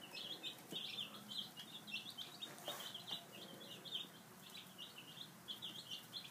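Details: Baby chickens, five days old, feeding at breakfast; a dense flock chorus of shrill peeps runs without pause, punctuated by soft clicks and taps.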